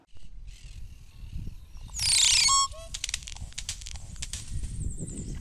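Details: A crested oropendola (Psarocolius decumanus) sings a loud, half-second crackling rush of rasping notes ending in two liquid, gurgling drops, over a low rumble of background noise.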